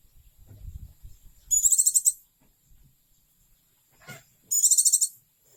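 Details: Oriental white-eye, a beloved pet bird since deceased, giving two loud rapid trills of very high sharp notes about three seconds apart; low rumbling handling noise early and a brief click in between.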